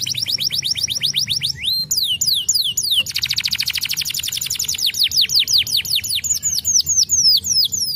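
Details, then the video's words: Loud canary song of rapid repeated downslurred whistles in fast series, shifting into a dense buzzing trill and back to quick sweeping notes. "Welcher Kanarienvogel kann den Klang dieses Kanarienvogels ertragen?"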